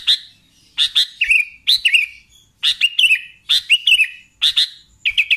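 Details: Sooty-headed bulbul in busy song, giving clipped chattering phrases: a snappy attack sliding into a wavering, slightly descending whistle, spaced under a second apart, ending in a quick triple chirp.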